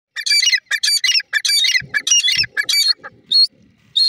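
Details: Female grey francolin, known locally as gora teetar, giving loud harsh squawking notes in quick rasping bursts, about eight over four seconds, then two shorter higher notes after a pause, with faint low rustling beneath.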